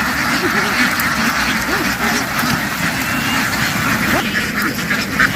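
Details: A noisy flock of farm ducks in a field, running into water and quickly climbing ashore. Continuous loud, rasping quacks overlap in a thick chorus, with a human voice briefly heard.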